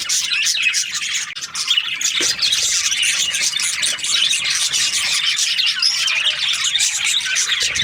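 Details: Australian budgerigars in breeding season, chirping happily: a dense high-pitched chatter of many birds, continuous squeaks and scratchy calls with a few louder sharp notes.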